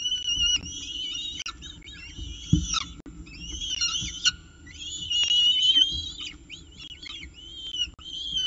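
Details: Peregrine falcon holding breakfast at its CSU Orange nest, 19 October 2018. Long, wavering, squealing wails in several loud bursts, rising and falling, with brief pauses and faint knocks between.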